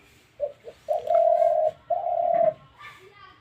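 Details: Spotted dove kept in a cage, said by its owner to call all day long. Two quick soft notes lead into two long, even, low coos, the second slightly shorter, followed by brief faint speech.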